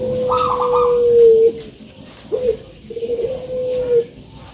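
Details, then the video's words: Spotted dove (puter) cooing, used to coax lazy birds into singing: long, low, steady coo notes held over a second, then a short coo and another drawn-out note, with faint background hiss. "COCOK BUAT PANCINGAN BURUNG PUTER YANG MALAS BUNYI"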